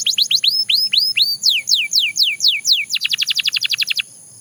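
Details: Belgian canary song made of high arched whistles repeated about four times a second, then broader downward slurs, finishing with a quick run of short, clipped trill notes.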